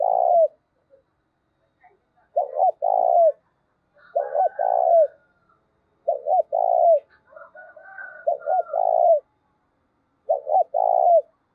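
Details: Five low hollow phrases, spaced irregularly, from a spotted dove decoy with 'giọng thổ' style voice used to draw in wild doves. Each phrase is two short coos and a drawn-out note, with soft higher chirps between.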